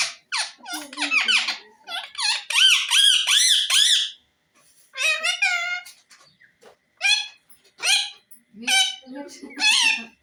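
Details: Captive parrot producing dense runs of squeaky, warbling chatter and shrill harsh notes, then spaced squawks and squeaks after a brief pause.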